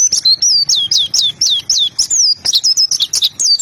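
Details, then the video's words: Non-stop chatter from a white-eye: high, squeaky notes that each slide downward, delivered quickly and unevenly. "pleci gacor mp3"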